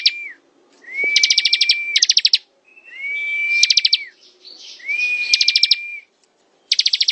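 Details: Bar-winged prinia, or ciblek, singing ngebren: flat whistled notes that swoop up and fall off at the ends, overlaid by fast, bright ticking series, with clear silent gaps between phrases.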